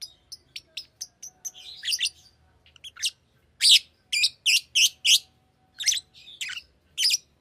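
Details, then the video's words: A pet Fischer's lovebird starts with a quick run of thin, clicky ticks, then breaks into loud, harsh chirps in fast series, some squawky, with faint hum behind. "Fisher LoveBird Makes AMAZING Sounds!"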